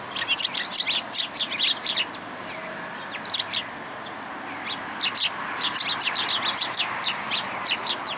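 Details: Group of sparrows at a community hall in Japan, 26 February 2023, following a person to be fed: many overlapping short bright chirps in busy bursts over steady background noise.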